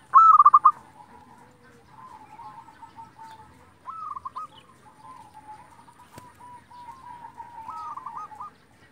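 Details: Local zebra dove (perkutut) singing actively, a recording meant as a lure to rouse other zebra doves to sing. A loud rolling coo phrase opens, followed by softer trilled cooing phrases near four and eight seconds over quiet background hum.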